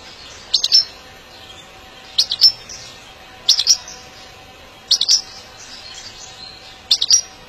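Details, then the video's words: European goldfinch giving short, bright, tinkling twitters in quick bursts, repeated about every one and a half seconds over a quiet background; recording used for arousal and song training. "saka kuşu kızıştırma ve ötüş eğitimi"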